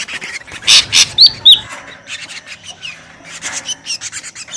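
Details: Ashy drongo lure sound, noisy: loud harsh bursts and a pair of sharp downslurred whistles, followed by softer scratchy chatter and scattered thin notes.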